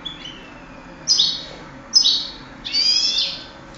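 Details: Contest European goldfinch recorded in 2008, delivering three separate liquid, twittering phrases about a second apart, the last longer and more trilled, with steady low hum behind.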